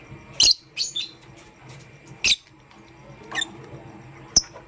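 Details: Lovebird, a pastel gray and a green bird, chirping in the morning: sharp high chirps and short squeaky notes in scattered bursts separated by pauses, with a faint steady background hum.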